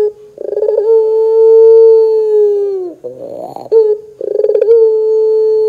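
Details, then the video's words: Barbary dove (puter) lure recording meant to get other doves to sing: long, steady, hollow cooing notes held for several seconds, broken by a short rough rolling sound, then cooing again. "PANCINGAN PUTER GACOR"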